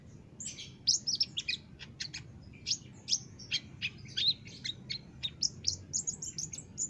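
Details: Energetic olive-backed sunbird song from a master recording used to train caged birds: a continuous stream of very high, sharp chirps and rapid twitters packed closely together for seven seconds against a quiet background.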